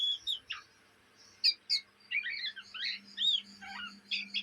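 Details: Juvenile Oriental magpie-robin from Indonesia giving ngriwik chatter, heard day and night: sharp high chips, then a jumble of quick whistled and scratchy twitters after a short pause, with a faint constant low drone.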